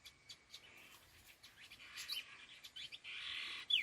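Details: Khứu lùn, a laughingthrush: faint scattered ticks and chips at first, then a single sustained harsh rasping burst near the end, followed by a bright high whistle.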